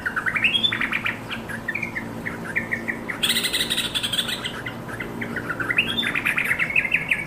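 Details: Yellow-vented bulbul calling to companions, delivered in the busy, vigorous style bird keepers call gacor. Quick bubbly whistled notes hop between mid and high pitch, with brief rising slurs. Two bursts of harsh, hissy chatter break in around the middle and near the end.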